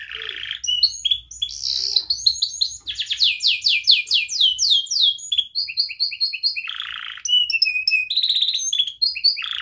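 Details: Young canary in full song, played so young canaries can learn, in the tight-roll 'rol rapat' style with 'cuit cuit' chirps: buzzy low notes, then fast repeated downslurred high trills, whistled phrases and a harsh buzz near the end.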